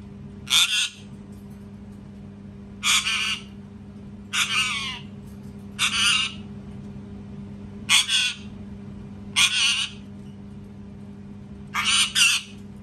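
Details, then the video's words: Loud parrot screams, seven harsh squawks of roughly half a second, repeated about every one and a half seconds, some split into double bursts, over a constant electrical hum. "PARROT SCREAMING TOO LOUD | PARROT SCREAMING SOUNDS"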